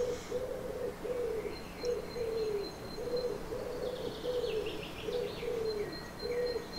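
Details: A common wood pigeon in a Swedish garden in May gives intense, deep, hoarse cooing phrases, soft notes repeated in a rolling rhythm, with thin high bird calls faintly above.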